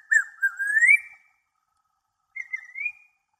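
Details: Watkins's antpitta, after hopping from the ground up into a tree, calls loudly, perhaps telling the observer to go away: two clear whistled phrases about two seconds apart, each wavering slightly before rising at the end; otherwise quiet.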